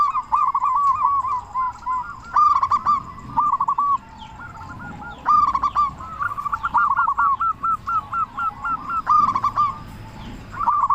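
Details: Zebra dove, local type, singing strongly to provoke other doves: an almost continuous string of rolling, resonant coo phrases, one long run of evenly repeated notes near the end.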